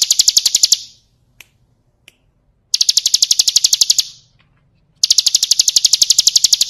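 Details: Bar-winged prinia song meant for training cage birds: three bursts of fast, high repeated notes, with gaps that hold only two or three soft clicks.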